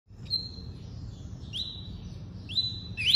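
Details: Double-collared seedeater singing in the tuí-tuí style: sparse high whistled notes, each a short upward sweep levelling into a steady tone, separated by pauses, over a faint low background hum.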